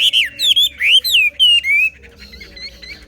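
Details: Họa mi xòe style song of a Chinese hwamei: clear, bright whistled phrases swooping and curling, given in quick bursts, then fading into softer distant notes.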